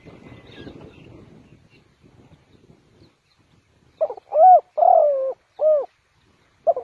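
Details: After a few seconds of rustling and low voices, a spotted dove used as a trapping decoy gives a cooing phrase: stuttered start, drawn coo, short closing coo, then begins another.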